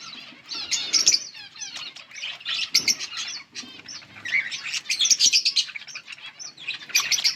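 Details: Yellow budgerigars recorded on August 18, 2024, giving dense, continuous chirping and chattering: rapid high warbles, squeaky tweets and short buzzy notes overlapping throughout, with several birds calling at once and soft fluttering of wings.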